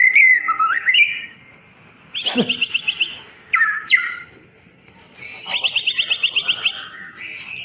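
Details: White-rumped shama tutor song for birds that have stopped singing: slurred whistles, abrupt harsh bursts and a rapid rattling trill of repeated notes, with short quiet gaps between phrases.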